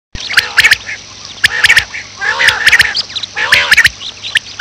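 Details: A female quail calling, perhaps a morning call, gives harsh, nasal bursts mixed with sharp clicking notes, in groups about once every second or so, fairly irregular.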